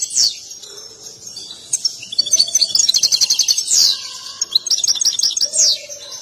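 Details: Excited European goldfinch singing while dancing: high twittering song with fast tinkling trills and buzzy descending notes, broken by a few lower drawn-out tones.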